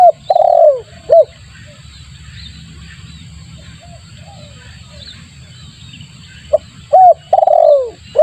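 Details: Spotted dove lure call for attracting birds: paired groups of short hooked notes and long descending throaty coos at start and end, separated by a quiet stretch with faint chirping.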